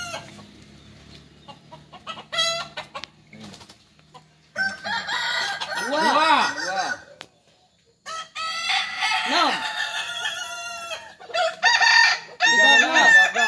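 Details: Kokok Balenggek chickens at a practice crowing contest in Ampang Kualo, Solok City: long, arching, multi-part crows rising and falling, amid loud voices of people and crowd noise, with short silent gaps.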